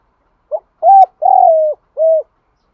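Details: Spotted dove giving a provoking coo to rouse other doves into cooing and fighting: a single mellow phrase of a quick clipped note, a steady hoot, a drawn-out slightly descending hoot, and a shorter closing hoot.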